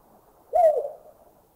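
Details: Collared Scops Owl in Thailand giving one soft, rounded hoot that lifts slightly and then sinks, lasting under half a second, with a short reverberating fade and otherwise quiet surroundings.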